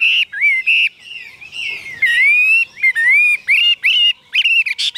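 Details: Caged Chinese hwamei singing rich whistled phrases, mostly level or gently rising notes with bright overtones, broken by short gaps, growing busier near the end.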